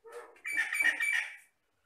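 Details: Jalak Batam myna, a mimic from the Riau Islands lowlands, giving a short, harsh, buzzy burst with a thin whistled tone running through it, lasting about a second before falling silent.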